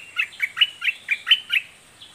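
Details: Red-whiskered bulbul, southern 'dok taeng' type, in doubled, fierce song: seven evenly spaced, slurred whistles about every quarter second, each bending down then up, in a quiet setting.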